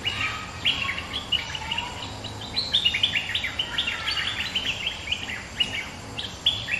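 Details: A resident bulbul sings back at a rival in a long energetic stream of bright, jumbled whistled notes, phrases tumbling one after another with brief gaps, faint low hum beneath.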